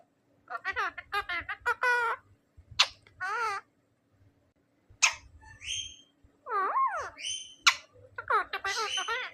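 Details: A pet talking ring-necked parakeet says "MashaAllah" in a raspy, high-pitched voice, mixed with sharp chirps, rising whistles and quick squawks.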